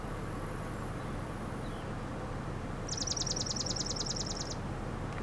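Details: A Swamp Sparrow on Muskrat Road in Flowerfield, Michigan, on July 11, 2016, gives a short, even trill of about eighteen quick, high notes over roughly a second and a half, against a steady low rumble of traffic.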